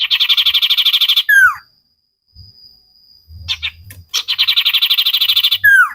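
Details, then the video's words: Common iora singing vigorously in a cage-bird training recording: rapid buzzy trills of evenly repeated notes, each burst about a second long and ending in a sharp falling slur, separated by a quiet gap with faint low thumps. "Burung cipow sirtu masteran Gacorrr banget"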